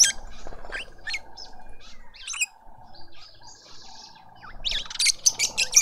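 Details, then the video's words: Lovebird family feeding a juvenile at a feeder in a suburban garden in Pretoria, South Africa. Shrill, harsh chirps come in scattered bursts at the start and again near the end, with softer twittering from other birds in between. "Lovebird family feeding a juvenile"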